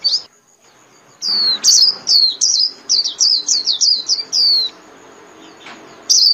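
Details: A Japanese white-eye sings 'líu' style, for caged birds to learn from daily: after a quiet second, a fast chain of high, thin chirps about three per second, falling silent before a final note.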